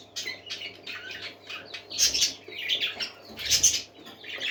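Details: Pet parakeets calling in a short scratchy burst: grating chirps and squawks roughly every second, mixed with soft fluttering and low rustling noises.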